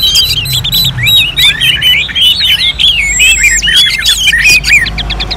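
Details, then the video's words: Orange-headed thrush song in a bird-contest simulation style, used as training for other songbirds: rapid, dense run of varied whistled and slurred notes, mostly high and twisting, with sharp chirps layered over one another and no pauses. "KICAUAN ANIS MERAH"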